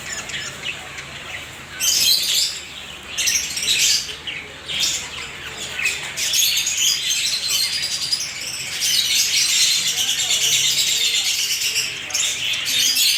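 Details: Many budgerigars singing together in a colony: dense, overlapping chattering warbles and squawks, very high-pitched. The calls swell into loud bursts, then settle into a continuous busy chorus that runs to the end.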